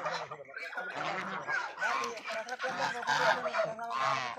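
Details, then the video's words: Raj ducks being farmed call in grating, throaty honks, grouped in uneven clusters, a few birds overlapping throughout. "Raj duck sound"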